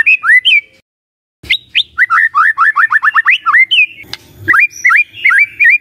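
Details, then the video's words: White-rumped shama song used to provoke other shamas: upslurred whistles, a brief silence, then a quick rhythmic series of rising whistled notes and looping phrases with a faint click. "Dalam Hitungan DETIK Murai Cepat NYAMBAR❗ Pancingan Murai Batu"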